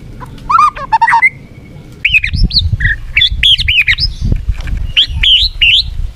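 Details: White-rumped shama (murai batu) song played to provoke caged birds into fighting form: loud, varied whistled phrases, slurred rising and falling notes leaping between low and high pitch, with a sustained whistle and brief rattling notes.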